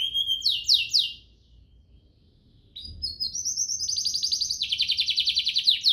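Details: Singing canary, a varied "cengkok" meant to tutor young canaries: a few rising and falling whistled sweeps, two seconds of quiet, then a long high rolling trill of rapidly pulsed notes.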